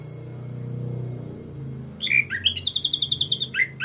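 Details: Orange-headed thrush singing to provoke other males: a clear whistle followed by a fast trill of about a dozen evenly spaced notes and a closing whistle, over a low background hum.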